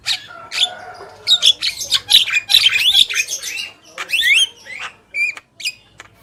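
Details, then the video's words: Male and female black-winged myna singing together, a dense jumble of harsh rasping squawks, chattering notes and short whistled swoops, closing with a few scattered calls. "Jalak Kebo Gacor | Burung Jantan dan Betina"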